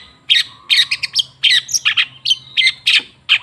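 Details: Long-tailed shrike song played as a lure to coax silent shrikes into singing: bursts of bright, chattering high notes and short whistles in quick succession, with a faint low hum underneath.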